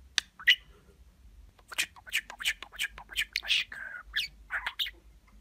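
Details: Domestic budgerigar talking, copying human speech and kisses: a fast string of clipped, raspy syllables and clicks with one short drawn-out note in the middle, chattered continuously in a quiet room.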